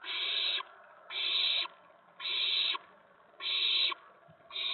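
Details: Owl nest, evening of April 19, 2017, during food deliveries to the owlets: drawn-out breathy hisses, each near half a second, come in an even series about every 1.2 seconds.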